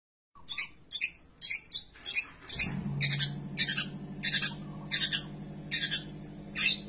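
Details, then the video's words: Long-tailed shrike singing in the gacor style with rich fill-in phrases: a series of short, harsh, scratchy bursts about every half second, joined midway by a steady low hum. "cendet gacor isian mewah"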